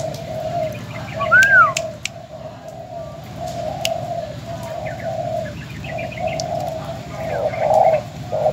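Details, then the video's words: Old spotted dove kept as a decoy bird in Bến Tre, recorded as a farewell before its sale: low, mellow coos repeat steadily through the whole stretch, with a brief higher whistled arc from another bird early on. "Cu gáy bến tre.Chia tay mồi mỏ công"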